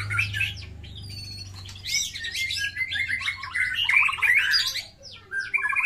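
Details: A fighting white-rumped shama pours out a rapid, varied run of rich whistles, trills and chattering notes with barely a pause, as a low hum fades out early.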